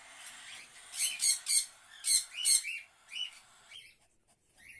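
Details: Cockatiel chicks, one of twelve in a breeding clutch in early January, give a rapid series of high, harsh, raspy chirps in short irregular bursts.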